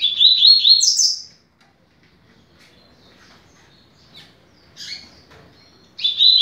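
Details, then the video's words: Song of a double-collared seedeater in the 'rápido de bico' style, used to teach young birds. A fast warbled phrase ends in a high flourish, then a few soft scattered chips, then a new phrase begins. "Canto para Ensinar Passarinho - Coleiro"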